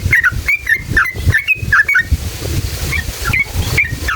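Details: Yellow-vented bulbul singing steadily in wild style, used as a lure to agitate other bulbuls into song. Bright, bouncy slurred notes come quickly for two seconds, then fade to sparse, fainter phrases over a low hum.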